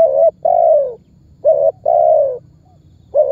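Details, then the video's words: Spotted dove coos meant as a lure that makes other birds call; rapid pairs of rich notes, a short one followed by a long falling one, about forty per minute. "SUARA BURUNG TEKUKUR MEMANGGIL DAN MENEKAN MEMBUAT BURUNG LAIN IKUTAN BUNYI"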